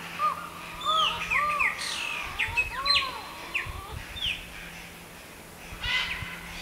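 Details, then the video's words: A Collared forest falcon (Micrastur semitorquatus) sings from high in a tree at Buraco das Araras, MS: hollow, arched notes repeated about twice a second, while other small birds add higher chirps and whistles. "Falcão-relógio cantando"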